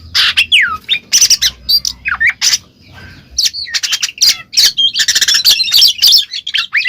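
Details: Oriental magpie-robin singing loud ngeplong phrases as a lure for a silent bird: rasping squawks, falling whistles and a fast stuttering run of chatter, with low thumping underneath.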